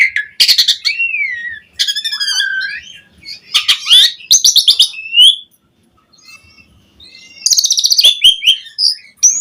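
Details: Vigorous Asian pied starling song full of varied phrases, a lure to get other starlings singing: bursts of harsh chatter and buzzy notes, wavering whistles, a quiet pause, then another loud noisy burst.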